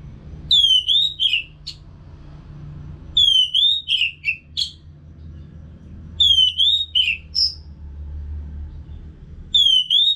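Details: Repeated song phrase of an orange-headed thrush, a training sound for caged birds: a clear whistled note sliding down into buzzy twisting notes, the same phrase returning about every three seconds over faint hum.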